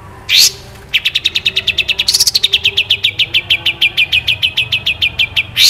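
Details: Long-tailed shrike in full song with fill-ins on a training recording: a rapid, steady series of short, sharp chips, about six per second, broken by a harsh burst and framed by louder rasping notes.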